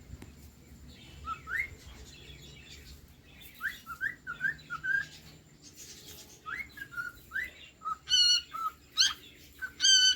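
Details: Cockatiel singing: quiet upslurred whistles in quick clusters, building into loud, harsh, ringing chirps repeated about once a second toward the end.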